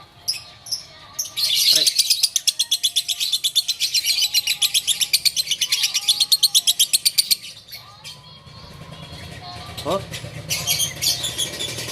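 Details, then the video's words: Bawor lovebird in Takengon, Aceh, singing a long unbroken stream of rapid, piercing chirps about four a second, while men urge it on with shouts of encouragement; a short pause, then more chirps. "LOVEBIRD BAWOR"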